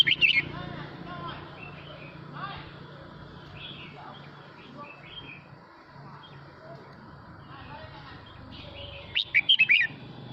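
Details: Male red-whiskered bulbul singing to call the flock: short bright warbled phrases at the start, then a quiet stretch with faint distant chirps, ending in a quick burst of loud whistled notes; steady low hum beneath.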